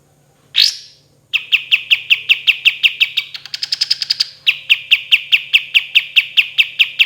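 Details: Olive-winged bulbul (kapas tembak) in long active song with tembakan shot notes: one loud rising sweep, then a long rapid series of sharp clipped notes broken by a faster higher trill before the steady series resumes.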